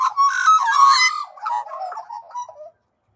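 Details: Australian magpies of a family group in Australia, given feed by people, singing: a loud, rich warbling carol of fluting and gurgling notes, strongest in the first second, then softer quavering phrases fading out after nearly three seconds.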